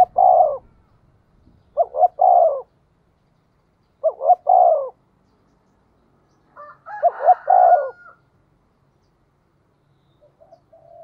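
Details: Spotted dove with a 'giọng thổ' voice, calling as a lure to provoke wild birds. Four clear phrases arrive roughly every two seconds, each two quick rising notes then a sustained falling coo. Higher tonal notes overlap the last phrase.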